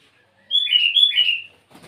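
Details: Sooty-headed bulbul singing actively in the morning, calling rivals; one short liquid, bubbly phrase of a few quick slurred notes lasting about a second, followed by a faint rustle.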